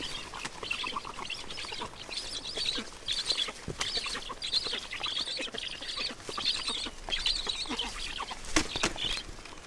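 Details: Black stork nest in Estonia at feeding time, 20 June 2019, 14:37; dense high wheezy chatter in repeated bursts, mixed with sharp clicks and thumps of movement in the nest.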